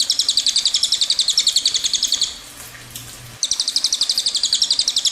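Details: Long rolling song of a cililin: rapid, evenly spaced high chips in a steady rattle, broken by a one-second pause with a faint low hum, then resuming at the same fast pace.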